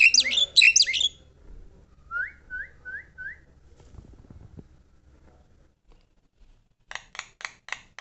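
A Javan myna opens with loud, harsh chattering notes, then gives four short rising whistles and ends with a quick run of five clipped, scratchy notes.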